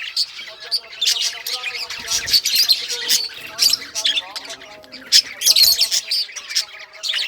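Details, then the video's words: Rare-coloured budgerigars playing with toys, a flock chatter of scratchy squawks and chirps, denser and louder toward the end, with steady faint tonal hums below. "Budgies all rare colors playing and chirping sounds playing with toys"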